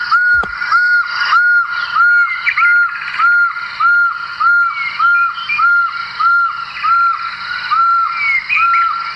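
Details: Pearl-spotted owlet (Glaucidium perlatum) call played back faintly at Djuma Game Reserve, Sabi Sand, South Africa, on an early-morning drive, 25 October 2017: a steady monotonous series of clear, slightly arched whistles, about 1.5 per second, faint birds behind.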